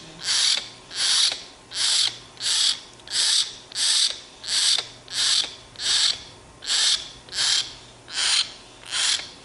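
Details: Cranky young hill myna, tame and wanting bread, repeats a coarse, breathy rasp roughly every 0.7 seconds, about thirteen in a row, evenly paced over a quiet low hum.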